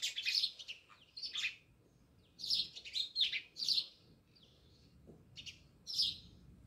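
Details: Near a village home in Jamnagar, a flock of house sparrows makes scattered groups of sharp chirps, some bursts close together, others spaced by a second or more of quiet.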